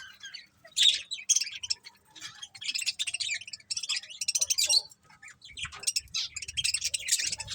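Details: A happy colony of budgies chirping: dense, continuous bursts of high, scratchy chirps and warbled twitters from many birds at once, with short pauses between flurries.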